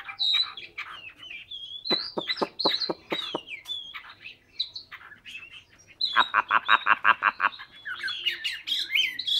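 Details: Hwamei from Hà Nội, Vietnam, singing a varied song: wavering whistled phrases broken by fast series of sharp, evenly spaced notes, two rapid bursts of about eight clicks each.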